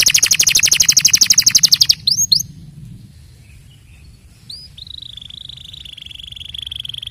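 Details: Canary with a fast even trill of rapid notes lasting two seconds, then a pause with a few brief upward chips and a thin steady whistle fading out.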